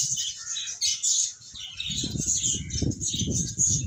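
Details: Finches chirping together in high, rapid bursts of thin, overlapping tweets. Low rustling and fluttering sounds join in during the second half.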